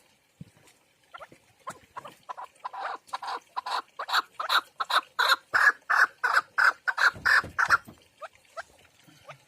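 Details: Partridge chicks raised indoors give a loud run of rough, buzzy notes, repeated about three times a second and rising in strength, then fading into a few thin peeps.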